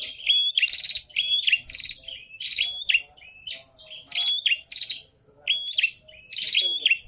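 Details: Prinia (prenjak kepala merah) in breeding condition, male answering a nearby female: continuous lively run of sharp high chirps and buzzy notes, repeated rapidly in short clusters throughout.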